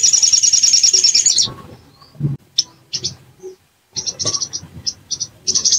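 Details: Sogon, or bar-winged prinia, in a provocation recording: a fast, high, buzzy trill for over a second, then a pause and clusters of short, sharp, high chips in uneven bursts.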